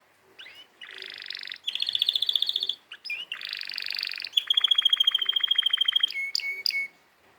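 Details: Canary singing a varied song: fast buzzy trills and rapid repeated notes, a long rolling trill near the middle, then sharp rising whistles and a sustained pure tone at the end, with short pauses between phrases.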